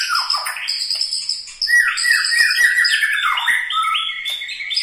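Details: White-rumped shama, murai batu from Medan, Bahorok, Bukit Lawang, delivering characteristic varied song: bright high whistles, a brief pause, then rapid cascading slurred notes and sustained ringing tones.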